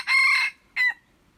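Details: Red junglefowl crowing, recorded 21 February 2025: a loud harsh two-part crow, a long buzzy first note followed by a short clipped second note that fades into a faint tail, with a quiet background.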